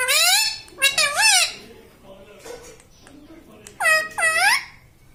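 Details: Indoor pet parrot imitating "mummy papa": loud, ringing, squawky syllables at the start and again near the end, with a quieter stretch of room sounds between them.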